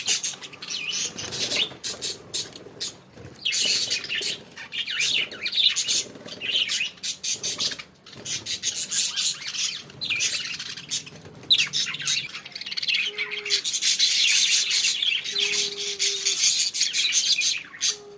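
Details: Budgerigars (Melopsittacus undulatus) chatter with dense, scratchy chirps and warbles, broken by rustling and a few short tones, while being given coriander leaves.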